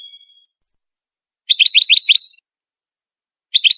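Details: Moroccan Ouidani-style European goldfinch song, played for tutoring chicks: a short thin whistle, then a quick burst of rolling, twittering notes and a second burst starting at the end, in silence.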